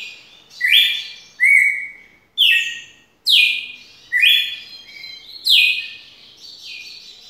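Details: Red-cowled cardinal singing its long song: a run of about seven loud, clear whistled phrases about a second apart, each opening with a sharp slurred note that settles into a steady, bright tone, over a quiet background.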